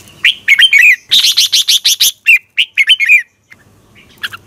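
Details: Red-whiskered bulbul competition song used as a training lure in the morning: warbled notes lead into a quick run of six sharp rising chirps, then more bubbling phrases, ending in a pause and a faint note.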